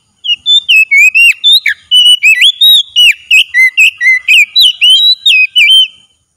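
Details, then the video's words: Oriental magpie-robin in a daily training session, singing at full strength: a fast run of loud, clear whistled notes, some rising and some falling, delivered about four per second with no other sounds. "TERAPI HARIAN KACER LANGSUNG GACOR"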